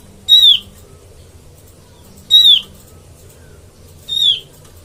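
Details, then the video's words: Oriental white-eye trapping lure: three harsh, downward-slurred calls spaced about two seconds apart, the last one softer, with a faint low hum. "suara pikat burung opior"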